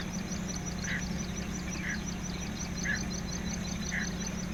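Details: Male Greater painted-snipe giving a warning call in his own territory on the Da-an sea shore, Taichung City, Taiwan, 6 April 2016, filmed on a handycam: short soft husky notes about once a second over steady low hum and a high insect-like trill.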